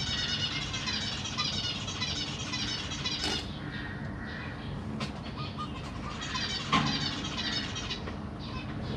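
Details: Zebra finch family in a cage, June 25, 2023, with parents busy feeding three juveniles and three newborn babies: rapid, overlapping high nasal chirps crowd the first three seconds, then thin to scattered calls with a few sharp knocks and a steady low hum.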